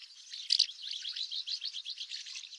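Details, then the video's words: Common house martin (Delichon urbicum) gives a soft, continuous twittering of rapid dry chirps, high-pitched and chattering, with a slightly louder burst early on. "Hirondelle de Fenêtre - Common House Martin"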